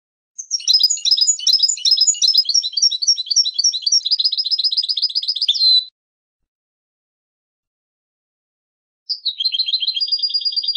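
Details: European goldfinch delivering a long rapid phrase of varied twittering and tinkling notes for about five seconds, then, after a pause, a steady buzzy trill.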